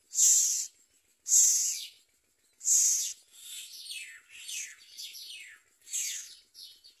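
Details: Common myna at a nest, bringing crickets to its babies: three loud hissing rasps, then a run of quicker down-slurred scratchy notes and another rasp, all harsh and high, with a quiet background.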